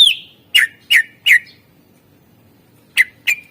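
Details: Greater green leafbird, a kept songbird used as a lure recording, sings a falling slurred whistle followed by three evenly spaced sharp ringing notes, a short pause, then two more bright notes.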